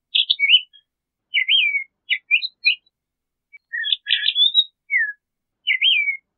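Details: Singing crissal thrasher delivering a varied series of whistled, slurred and chirpy phrases, each different from the last, spaced by short gaps; no other sounds present.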